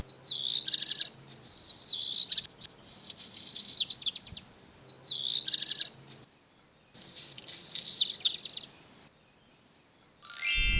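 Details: A Black Redstart in the city of Neuchâtel, a bird that sings tirelessly, gives short, high, hurried phrases with a dry crackle like crumpled paper, repeated in near-identical form every few seconds; a sharp click ends it.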